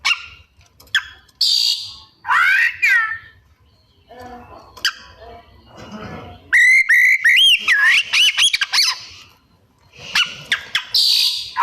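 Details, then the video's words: White-rumped shama in mimicry song: separate squeaky whistled calls, a quieter murmured stretch, then a dense burst of looping whistles and sharp chips, and a final buzzy high phrase. "Cara Jitu Membuat Suara Kacer Gacor Rajin Bongkar Isian - 99% Burung Kacer Isian Mewah"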